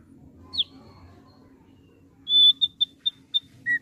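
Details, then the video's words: A kept thick-billed heleia gives one falling whistle, then a long, steady high note. A string of five evenly spaced short pips follows, and a lower, drawn-out whistle closes the phrase. A soft low hum runs underneath. "SUARA MANIS YANG KELUAR DARI BURUNG RAWATAN OPIOR PARUH TEBAL"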